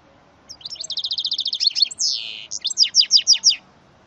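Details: Mule hybrid of goldfinch and canary, from a male goldfinch paired with a female canary, delivers a fast even trill, a long falling buzzy slur, then five loud downslurred notes.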